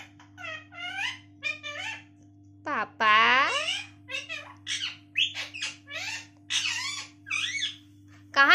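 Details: Pet talking parrot indoors calling for its mummy: a run of short squeaky, nasal imitated words with rising and falling tones, a louder drawn-out call near three seconds, over a steady low hum.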